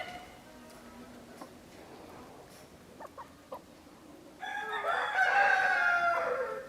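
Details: Soft scattered clucks and taps, then a loud, drawn-out, strained crow lasting over two seconds from a partridge-coloured Araucana chicken.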